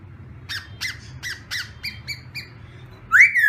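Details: Black-throated laughingthrush in morning voice practice, giving a series of short harsh chattering notes about every third of a second, then a sudden loud rising whistle at the end; steady low hum behind.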